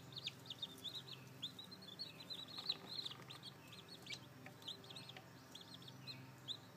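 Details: Newly hatched chicks, seven plus probably two more under the hen; steady high-pitched peeping from several chicks, notes arching down and overlapping, busier in the first half and thinning toward the end.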